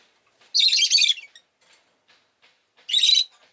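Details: Pet rosy-faced lovebird giving two harsh, buzzy chirps, the first about half a second long and the second shorter, separated by quiet; faint low background noise between calls.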